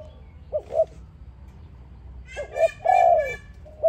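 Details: Dove song for luring doves into a trap: faint clipped coos, then a longer falling coo, overlaid by a brighter buzzy harmonic sound.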